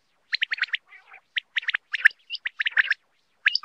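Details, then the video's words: Quail giving quick runs of sharp, chirpy notes in uneven clusters, with a few softer, lower rattling notes between bursts. No other sounds are heard. "Batair ki awaz l Batair new awaz l Batair sound l 2023 Quail sound"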